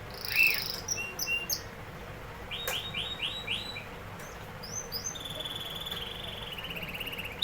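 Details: Canary song in short scattered phrases: high whistles, a quick run of four rising chirps near the middle, then a soft buzzy trill, all over steady background hiss.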